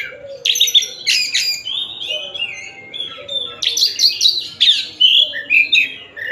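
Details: White-rumped shama of the Tasik type singing loud, rapid phrases: harsh chattering bursts mixed with clear slurred whistles, building into dense stretches of notes with brief gaps.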